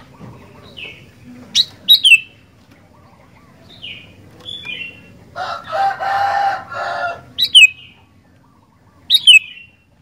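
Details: Sooty-headed bulbul in active song: repeated short, bright whistled phrases, each dropping sharply in pitch, given at irregular intervals. A loud, harsh rustling burst lasting about two seconds breaks in midway, with soft low background hum.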